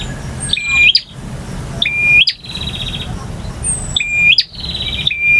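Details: Male bar-winged prinia in full variation song, ngotot and kristal styles: clean flat whistles ending in upward flicks, each phrase trailed by a buzzy rattle, about four phrases.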